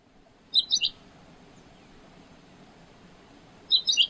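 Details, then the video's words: Two quick triplets of high, sharp notes attributed to a common quail, about three seconds apart, over a low steady background hiss. "Перепел. Перепёлка. Голоса птиц"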